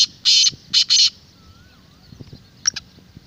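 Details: Single phrase from a black francolin, a call played to rouse kept birds and draw wild francolins: three loud, rasping, buzzy notes in quick succession, followed by quiet distant chirps and a faint slurred whistle.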